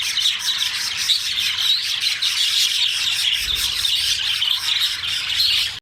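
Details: Male budgerigar in its salma, the chattering display: continuous, dense, high-pitched warbling with rapid squeaks and chirps throughout, likely mixed with other budgies' chatter.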